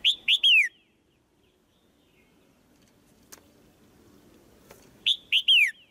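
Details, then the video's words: Female white-eye calling in a cage to make the male sing louder. Two runs of three clear chirps, the last of each sliding downward, are separated by about four seconds with faint ticks. "เสียงนกตัวเมียร้องเจี๊ยก ๆ ในกรง กระตุ้นให้นกตัวผู้ร้องแรงขึ้น"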